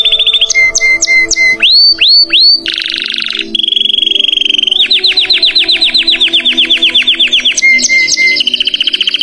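A Belgian canary sings a loud, rapid run of tours: bright upslurred whistles, a steady buzzy roll, then a long fast trill of repeated notes.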